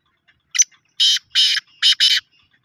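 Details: Loud rasping call of a black francolin: a short lead-in note, then two paired harsh grating syllables, all within about two seconds.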